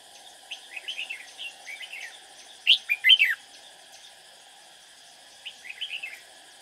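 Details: Red-whiskered bulbul decoy in a cage, singing during trapping to draw in rival birds: scattered short chirpy warbled phrases, a louder rapid cluster near the middle, then a quieter phrase after a pause, over a constant high buzzing drone.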